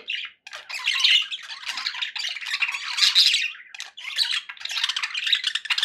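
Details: Happy pet budgies chattering in irregular bursts roughly every two seconds, grating warbles and high squeaks blending from more than one bird, short silences near the start and around four seconds.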